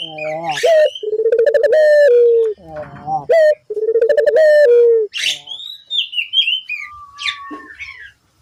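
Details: Barbary dove coos used to draw replies from other doves: two low, pulsed, rolling phrases ending in a drawn-out falling tone, then sharp high chirping and whistling from other birds.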